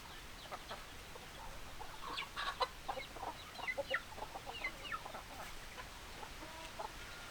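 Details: Hens clucking: after about two seconds a run of short, sharp clucks breaks out and carries on in uneven bursts to the end, over a steady background hiss.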